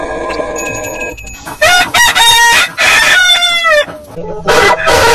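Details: Rooster crowing in short, choppy bursts, harmonic strained calls cut together with abrupt gaps, several crows overlapping within a few seconds.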